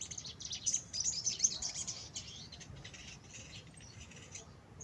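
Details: Captive sunbird, recovering after being bought in poor condition, starts singing after two days of care: a rapid, dense twitter of very high, sharp notes runs for about three seconds, then fades into softer scattered chips.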